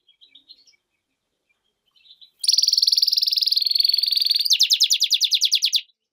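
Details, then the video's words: European goldfinch and canary hybrid singing: a few soft scattered chirps, then a loud sustained buzzy trill of rapid pulses lasting about two seconds, shifting into a faster bright rattling trill. "mixto de jilguero - hybrid (European goldfinch vs canary) هجين الحسون"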